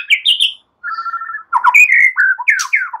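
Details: Relaxed song of a white-rumped shama mimicking cililin and ciblek, used as a lure for other songbirds; a quick burst of high notes, a level buzzy tone, then tumbling slurred whistles falling in pitch.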